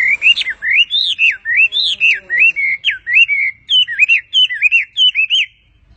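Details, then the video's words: Bird singing a lively sequence of looping, up-and-down whistles, grouped in short runs with tiny gaps, ending in silence. "beautiful bird sound"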